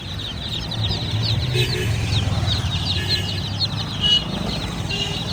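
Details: Many baby domestic chicks cheeping together, an unbroken flurry of thin high peeps, with a louder clear whistled peep standing out near the four-second mark over steady low rumbling background noise.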